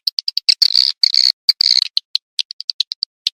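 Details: Edible-nest swiftlet call played to attract birds: quick dry clicks mixed with two short buzzy rattles, then a run of single clicks at roughly even spacing.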